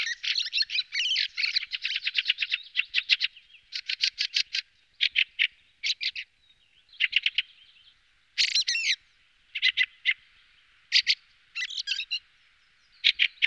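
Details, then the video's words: Chattering fieldfare song: long rattling series of harsh pulses, then spaced bursts of two or three dry chacks with occasional squeaky, sweeping notes between quieter pauses. "Birdsong Fieldfare Thrush"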